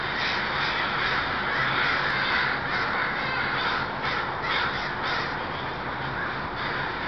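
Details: ['Thousands of crows coming in to roost at night near Still Creek in Burnaby, BC; many raspy caws overlap into a steady roar, with quick repeated calls about twice a second.']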